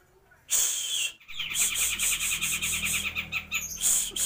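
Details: Grey-cheeked bulbul in full, active song: a loud, fast run of bright, chattering notes, sharp and high-pitched, repeated rapidly for several seconds with barely a pause.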